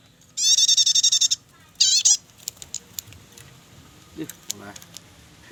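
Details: Prinia in the chattering nyetater style, used for luring or tutoring birds: one burst of rapid, high buzzy notes, then a shorter second burst, followed by scattered faint clicks and low background noise.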